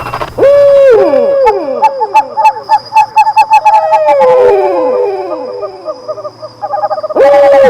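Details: Loon calling with clear sliding wail notes and runs of rapid, wavering tremolo notes at a mid pitch. The calls overlap as if layered or echoing, over a faint steady high tone.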